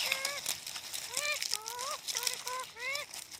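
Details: Talking parrot saying "Mian Mithu churi khasein" in a string of nasal, voice-like syllables, some rising and some bending, each a fraction of a second long, over steady background hiss.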